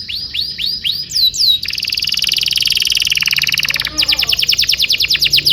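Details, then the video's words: A prolific canary sings a long tutor song used to train young canaries. Repeated rising whistled sweeps lead into a rapid, steady rattling trill. A short pause follows, then a fast series of bright upslurred notes. "PANCINGAN KENARI GACOR DURASI PANJANG UNTUK MASTERAN KENARI PAUD BELAJAR BUNYI DAN GACOR"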